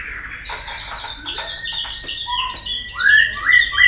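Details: White-rumped shama competitive song among a busy background of other chirps: several bright upslurred whistles grow louder toward the end, repeated a few times.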